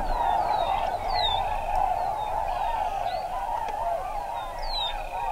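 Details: Large numbers of tundra swans gathered on a Wisconsin wetland during spring migration: a dense, continuous chorus of overlapping mid-pitched hooting calls, with thin, high, downslurred whistles standing out above the din.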